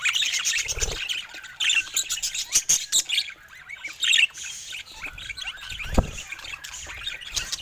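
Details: Colorful pet budgerigars chattering: busy, high, scratchy chirps and warbled twitters pouring out almost nonstop, with a few sharp squawks and low thumps of movement.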